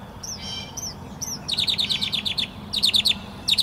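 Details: Mockingbirds fighting hard outdoors: a few high down-slurred chips, then rapid clustered high-pitched twittering bursts over a steady low background rumble.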